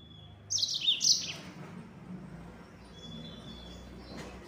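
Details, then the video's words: Yellow-fronted canary giving one short, quick burst of high chirps in the 'nembak' style, followed by a faint thin whistle and low background hum. "Burung Mozambik Gacor Suara Nembak Full Speed.."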